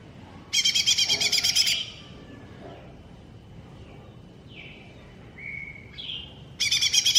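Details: Cucak ijo mini (green leafbird) masteran song: a loud, rapid, rattling trill lasting over a second, a pause with soft whistled slurs, then another loud pulsing trill bursts in.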